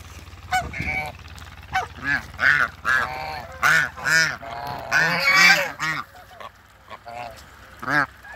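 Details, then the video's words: Mature pair of African geese meeting newly introduced birds on a farm: loud, nasal, harmonic honks in quick uneven bursts, several overlapping, with a brief rough low rumble near the start. "TRYING MEETING MATURE COUPLE AFRICAN GEESE"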